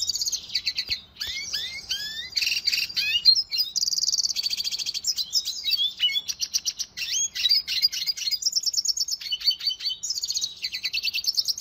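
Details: Cage-bird training song of the red siskin: lively high twittering with upslurred whistles, dense trills, steady repeated chip series and buzzy phrases, nearly continuous.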